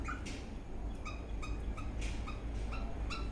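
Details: An Eastern Rosella dancing, whistling and chirping in a happy mood gives short, bright chirps and clipped whistles, two or three a second, over a steady low rumble.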